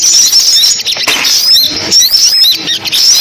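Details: Lure recording of sunbirds for speaker traps: thin, piercing chirps and fast upward-sliding whistles repeated in quick succession.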